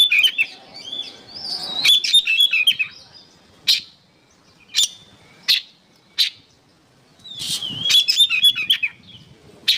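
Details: Oriental magpie-robin singing as songbird training material: a whistled phrase opens, followed by scattered single sharp chips about a second apart, then another burst of chirpy warbling near the end.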